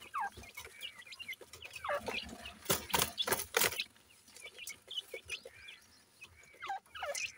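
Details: Feeding Sindhi grey francolin chicks: scattered thin chirps and descending peeps, broken midway by a run of loud rapid tapping and rustling, then more soft high chirps.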